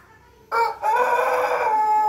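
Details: Pelung rooster crowing: a sudden loud burst, a brief dip, then a long, full, steady harmonic crow that continues to the end without a break.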